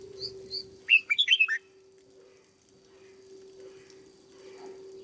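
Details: Red-whiskered bulbul kept caged as a decoy bird in training: two thin high notes lead into one rapid run of bright up-and-down whistled notes lasting under a second, then quiet with a steady hum.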